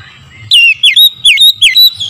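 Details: Oriental magpie-robin in the morning, played as a lure: a quick string of loud, ringing whistles, each dipping then climbing, delivered in close succession after a brief quiet start.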